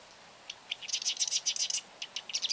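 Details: A series of scratchy, rapid chattering notes from a Marsh wren, uneven in rhythm and high in pitch, with quiet surroundings.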